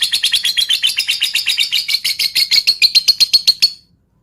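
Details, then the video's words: Lovebird singing to provoke rivals into song: a rapid, unbroken chatter of sharp high notes, about four per second, settling into a steadier ringing tone before stopping abruptly. "Pancingan Lovebird Full Ngetik Jeda Rapat Untuk Memancing Burung Agar Cepat Panas"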